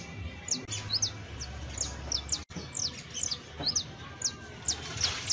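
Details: Juvenile saffron finch (canario basto) singing a loose series of sharp, high downslurred chips spaced a few per second, with a brief click and low droning background noise.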